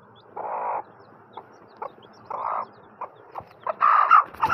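Grey francolin giving harsh, buzzy squawks in short bursts about every second, with soft clucks and ticking notes between them.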